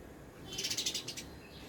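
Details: Sparrows at an apartment bird feeder at tea time: a quick run of about eight bright, high chirps in under a second, over a low background rumble.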